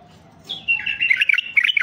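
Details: A male White-eared Bulbul (Pycnonotus leucotis), a mutation, sings a brief burst of bright, bubbly, high warbling chirped notes tumbling quickly after near silence.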